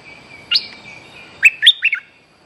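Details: A bulbul (lure-call recording for a young bird) gives a bright chirped note, then a quick run of three or four liquid, warbled notes, with a faint steady high whine behind.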